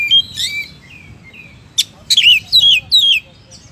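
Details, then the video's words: Oriental magpie-robin sings clear, varied whistles, then a sharp click and three bright falling slurred phrases about every half second, over a low hum. "Suara Burung Kacer Gacor"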